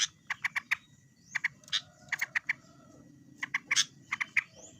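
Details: Sooty-headed bulbul calling a rival: sharp clicking call notes in quick groups of two to four, repeated through the recording, with faint whistled tones and low background hum.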